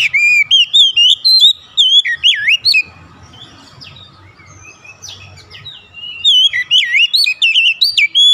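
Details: Kacer song used to lure other magpie-robins into singing; two lively bursts of fast, clear, looping whistles and quick slurs, about a dozen notes each, with a softer murmuring gap and faint low noise between.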